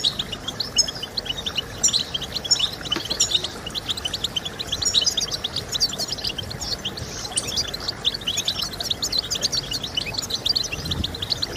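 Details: Goldfinch song, European goldfinch, intended to stimulate singing: long, unbroken stream of rapid tinkling notes, chirps and short trills, rising and falling in loudness over steady background noise.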